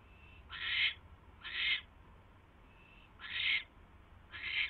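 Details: Four harsh, breathy screeches from owls as the male brings his mate a third mouse on the evening of 24 January 2016, in two closely spaced pairs with soft tonal notes before them.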